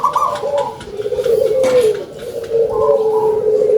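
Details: Loud-voiced local zebra dove: a brief high stuttering coo, then long wavering low trilled notes that rise and fall, with a second high phrase near the end.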